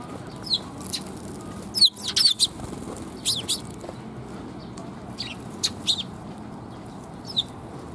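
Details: Sparrows coming to be fed at a perch platform on 7 June 2021: short, high chirps scattered through the clip, singly and in quick clusters, over steady low background noise.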